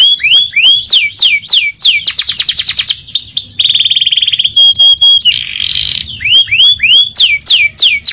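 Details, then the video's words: Canary song made of quick falling whistled sweeps, a rapid rolling trill, a level buzzing note and a harsh noisy burst, returning to bright slurred whistles, high-pitched and almost without pauses. "KENARI GACOR NGEROL NEMBAK | CANARY SINGING"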